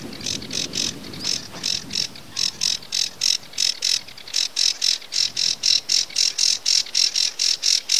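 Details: Song of a sedge warbler, Acrocephalus schoenobaenus: steady series of rasping, buzzy notes, about three to four each second, becoming more even and insistent toward the end.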